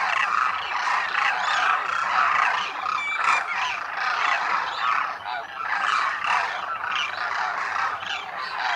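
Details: Thousands of Demoiselle cranes, known locally as Koonj, at a lake in Khichan in Rajasthan's Thar Desert during winter; a steady wall of rolling, honking calls from the flock, with a few sharper notes standing out.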